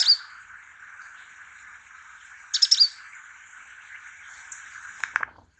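Purple-rumped Sunbird giving thin, very high tsip notes: one at the start, a quick sharp cluster midway, and a rapid chattering burst near the end, over a steady background hiss.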